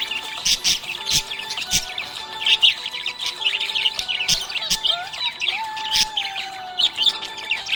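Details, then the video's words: Cheerful budgie chatter, a busy stream of high twittering chirps and rapid warbles, with soft sliding whistles and a steady low hum of music behind. "Happy budgie chirping sound"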